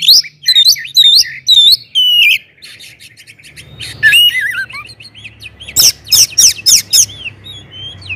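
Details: Oriental magpie-robin (kacer) with loud song to provoke others into singing; quick repeated whistled phrases, a softer twittering middle section, then a run of loud sharp notes about three per second.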